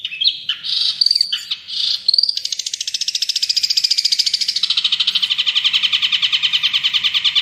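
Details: Long-tailed shrike (pentet) singing vigorously for cagebird tutoring. A few scratchy varied notes open the song, then it turns into a long, steady, rapid rattling trill that runs for about five seconds to the end.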